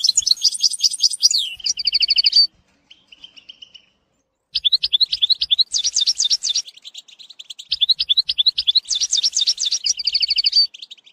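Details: European goldfinch singing to teach a young bird, varied twittering phrases with rattling trills and sweeping notes, a brief lull, then resumed lively chatter with repeated liquid slurs and a final trill; faint soft clicks below.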